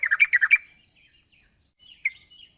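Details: Actively singing yellow-vented bulbul, meant to coax lazy birds into song: a quick burst of six bubbly warbled notes, then a long quiet gap and a few scattered soft chirps, with a thin high whine behind.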